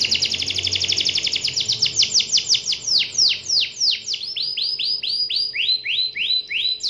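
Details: Canary in full song calling a rival: a fast high trill that slows into a series of clear, rapidly descending sweeping notes, about three per second.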